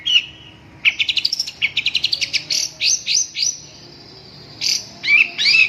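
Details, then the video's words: Long-tailed shrike delivering a fast run of about fifteen rising staccato notes, followed after a pause by harsh, twisting chirps. "suara burung cendet"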